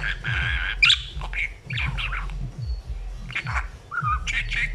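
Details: A talking budgerigar chatters happily in quick, scratchy bursts mixed with short squawks and a brief clear whistle near the end, over a steady low hum.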